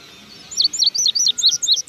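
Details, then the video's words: Blue grosbeak singing outside its cage: a quick run of sharp, high chirped notes, each dropping in pitch, packed closely together over about a second, with no other clear sounds. "azulejo cantando fuera de la jaula"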